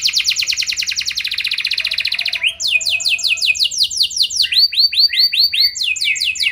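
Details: Canary song used as a lure to prompt other canaries to respond: fast trilled rolls of rapid repeated notes, then a series of loud downward-sweeping whistled notes repeated a little over twice a second.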